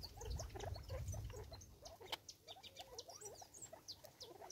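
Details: In South Africa, six Natal spurfowl contend for food, uttering rapid soft rising chirps, about three to four per second, mixed with pecking clicks, scratching and a low rumbling background.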